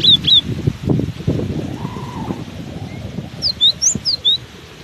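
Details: Cinereous tit, still singing despite strong wind: two quick high notes at the start, then a rhythmic phrase of five sharp whistles, all over loud buffeting wind.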